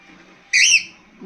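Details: A pet bird, calling a lot today and coming to its owner, gives a single shrill, whistled call of about a quarter second, bright and high with a slight rise, in an otherwise quiet room.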